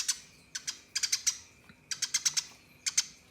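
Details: Eurasian tree sparrow giving a 'tembakan' style fighting song, used as a master recording to train contest birds: bright, sharp chirps in quick clusters of two to five, separated by short pauses, over a quiet background.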